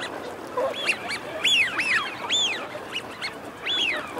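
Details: Wigeon, males and females, calling: a string of clear whistles that rise and fall sharply, several overlapping and some louder than others, over a low, steady background hiss.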